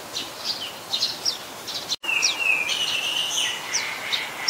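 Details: Common Tailorbird (Orthotomus sutorius), an adult and a common resident, in Ubon Ratchathani, Thailand, 27 January 2021; high, sharp notes repeated irregularly, then a long, level whistled note from another bird after a brief dropout.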